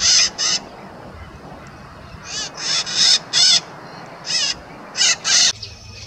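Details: Two wild white-eyed parakeets (maracanã-pequena) near a highway in rural Brazil; a run of harsh, raspy screeches, some in quick pairs, about eleven in six seconds, over low traffic rumble.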